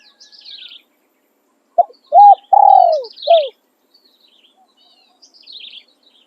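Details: Spotted dove used as a decoy for luring wild doves, singing its calling and tossing crow styles: one phrase of a short note, an arched coo, a long falling purring coo and a final drop. Faint high chirps from other birds.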